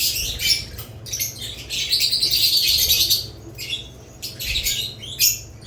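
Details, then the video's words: Budgerigar chirping: busy, scratchy high chatter that swells into a sustained warbling run mid-way, then breaks into separate short bursts, over a faint low hum. "Budgerigars lovebirds Chirping Sounds"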